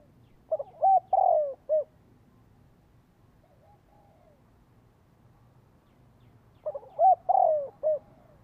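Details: Spotted dove decoy cooing to attract wild birds: two identical phrases of stuttered, arched and long descending coos ending in a short note, separated by about five seconds of near silence with a faint distant coo.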